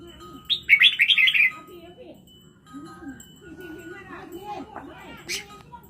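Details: Red-whiskered bulbul from Laos giving a loud, quick warbled phrase of about five bubbling notes lasting a second, followed by people talking quietly in the background.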